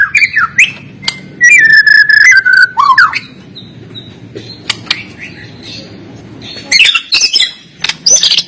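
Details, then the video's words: White-rumped shama kept in a cage, Medan type, song used to train quiet birds: a long clear whistled note with buzzy overtones, a pause, then harsh high scratchy phrases. "MURAI BATU GACOR FIGHTER PENUH GAYA || Cocok untuk melatih mental."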